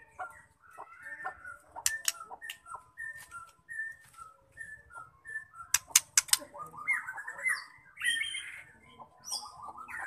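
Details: Female white-rumped shama vocalising, used to provoke males into singing: a loose series of short mid-pitched whistled notes and clicks, sharp high ticks scattered through, ending in warbled, slurred phrases.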